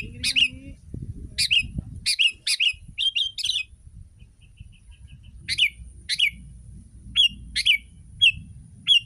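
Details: Sooty-headed bulbul song used as tutor recording to get other bulbuls singing: bright, chirpy bursts of short liquid notes in clusters, separated by brief pauses, over a quiet low hum.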